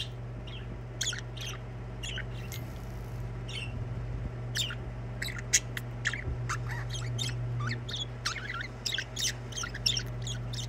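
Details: Singing budgerigars give a long run of quick chirps and short rising and falling twitters, fairly even in loudness throughout, over a strong low hum.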